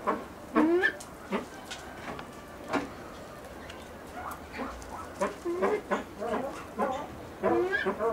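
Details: Blue eared pheasant at a pheasant breeding farm, calling in irregular clusters of short harmonic notes separated by quieter pauses.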